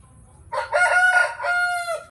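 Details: A desi rooster crows: a harsh, rich crow in two long sections, the second held steady and then dropping at the end, with faint low background hum.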